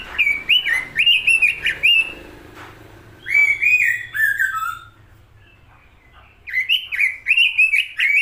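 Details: Robin giving bursts of loud whistled, warbling phrases in quick succession, separated by a few seconds of quiet before the song resumes.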